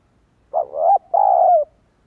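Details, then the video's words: Lure call of a spotted dove meant to provoke wild birds: a single loud phrase of a short throaty coo, then a longer sustained coo that slowly drops in pitch, in an otherwise silent setting. "Chim cu gáy kích bổi nhanh nổi hiệu quả"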